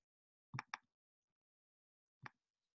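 White-breasted Nuthatch giving short, nasal, tinny notes: a quick pair, then a single note about a second and a half later, in an otherwise quiet room.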